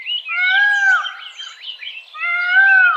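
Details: A male Indian peafowl gives two loud, nasal, wailing calls about two seconds apart, each strongly ringing and slightly falling at the end; a powerful, high, far-carrying cry.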